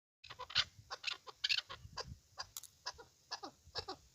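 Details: A chukar partridge, a hunting partridge, gives a rapid run of harsh, clucking chuk notes, several a second, with sharp broadband bursts and some falling notes mixed in; laughter follows.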